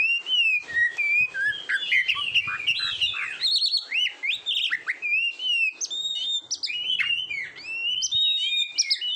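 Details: Competition-training song of an Oriental magpie-robin (kacer): a long, rich run of whistled swoops, upslurs and rapid chattering notes, nearly unbroken, with a few brief pauses.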